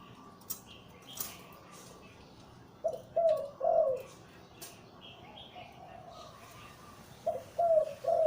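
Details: ['Zebra dove, a deep-voiced breeding male of Liw Tan style, delivering two throaty three-note coo phrases about four seconds apart, with a few clicks and faint higher chirps behind.']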